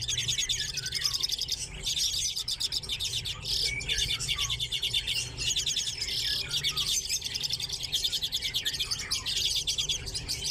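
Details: Captive common redpolls in an aviary with chaffinches, giving continuous high twittering and fast trilled chatter in bursts, many birds calling at once with brief short clicks between phrases.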